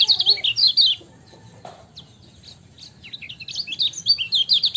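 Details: Kecial kuning, or lemon-bellied white-eye, ciak masteran song: a burst of rapid, high twittered chirps, then a near-quiet pause with a few thin notes, before the quick chattering resumes and grows louder over a soft low background hum.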